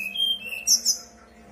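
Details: Brown-chested jungle flycatcher singing in a whistling style, played to prompt other birds to reply: a level mid-pitched whistle that slides slightly lower, followed by two sharp, very high bright notes.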